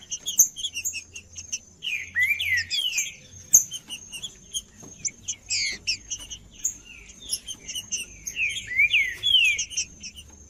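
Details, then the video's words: Trinca-ferro (green-winged saltator), called a 'cold' bird being warmed up, Pernambuco: scattered slurred whistled notes that rise and fall, bursts near the start and end, with dense high chirping and clicking throughout and faint low hum. "TRINCA-FERRO CANTANDO FRIO"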